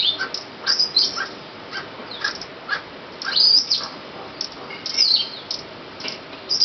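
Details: Barking call series of an Emerald Toucanet (Aulacorhynchus prasinus), recorded in February 2013 at La Cinchona de Alajuela, Costa Rica. Rhythmic, gruff notes repeat quickly, mixed with bright, high chirps and squeaks from other birds.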